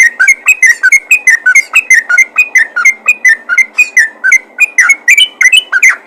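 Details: Continuous rapid ropel calling by a yellow-vented bulbul to attract other bulbuls: fast, evenly spaced liquid whistles, each slurring down or up, nearly without pause, over a faint hum.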